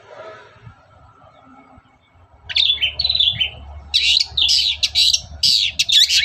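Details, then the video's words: Long-tailed shrike singing in the morning as a lure to make other shrikes sing; after two quiet seconds, harsh buzzy notes and a wavering whistle start, then loud rasping chatter and short squeaky bursts follow with a low hum. "SUARA PANCINGAN BURUNG CENDET GACOR PAGI HARI"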